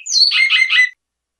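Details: Great-billed seed finch delivering a classic-style song: a burst under one second of three rich, slightly buzzy notes after a high, descending opening slide, then silence.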